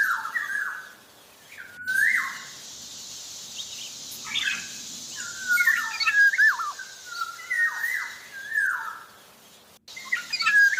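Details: Black-naped oriole, a Javan kepodang, singing busily. Repeated liquid whistles, many ending in steep downward slurs, come roughly every second or two, with a few sharper broken notes and a soft hiss throughout.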